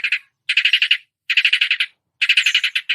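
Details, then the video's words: Long-tailed shrike imitating songbirds: fast, scratchy, trilled phrases of rapid notes, each phrase lasting about half a second, separated by short gaps. "masteran cendet menirukan semua jenis burung kicau"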